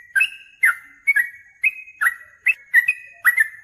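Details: Yellow-vented bulbul answering a rival aggressively, singing energetically. Clear whistled notes step slightly up and down in pitch, each with a held tail, and come in an uneven series of about eight notes.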